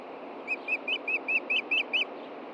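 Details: Adult osprey at a nest in Montana, evening in June, with chicks and a hidden fish: eight sharp, whistled notes in a steady rapid string, each briefly rising then falling, with soft background noise.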